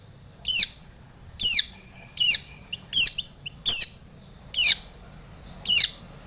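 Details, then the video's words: Long-tailed shrike singing with mimicked fill, used to provoke other shrikes: loud, harsh squawky phrases that sweep downward, repeated roughly every second in a clear series. "SUARA cendet gacor full isian TOMICENG pancingan cendet agar bunyi"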